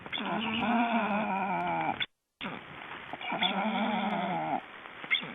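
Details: Black storks in Estonia during ringing on 29 June 2012: two drawn-out, nasal, bleating notes of about two seconds each, wavering slightly and rich in overtones, split by a short silence.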